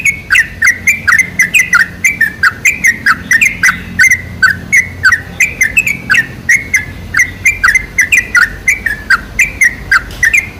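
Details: Sooty-headed bulbul song played as a lure to draw other bulbuls: rapid, busy bursts of short bubbly, slurred whistled notes, repeated about twice a second and overlapping as if several birds sing, with a faint low hum beneath.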